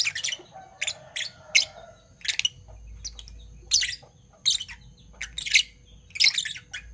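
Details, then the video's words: Morning chatter of two Fischer's lovebirds in parblue violet and parblue turquoise: shrill rasping chirps arriving in quick pairs and triplets, fairly continuous with brief breaks. "Lovebird Chirping Sounds - Parblue Violet Fischer & Parblue Torquoise Fischer"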